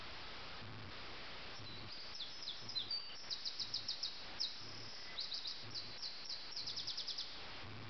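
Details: Nightingale song recorded in Sussex before dawn, 4 a.m., 30 June 2010; after a quiet start come several bursts of quick, high, clipped notes, each burst a fast repeated series, with faint background hiss and a low pulsing rumble.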